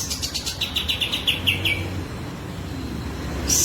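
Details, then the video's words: Sooty-headed bulbul (kapas tembak) in breeding condition with tail fanned, delivering a fast series of about ten bright, evenly spaced chipping notes, then falling quiet amid steady low hum. "full kapas tembak gacor buka ekor birahi"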